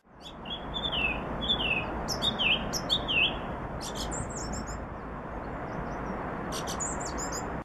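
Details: Song thrush (Turdus philomelos) song: the bird repeats a short, clear, dipping verse four times in quick succession, then moves to new, scratchier phrases, over a steady background hiss.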